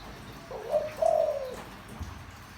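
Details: Spotted dove cooing in a deep voice, used to bring wild doves in fast. A brief opening note, then a longer, smooth, level hoot, and silence after it.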